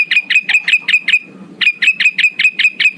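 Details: Male Black-headed bulbul calling rivals, a lure call: fast series of sharp, bright notes, about six a second, in two bursts split by a short pause with soft low rustling.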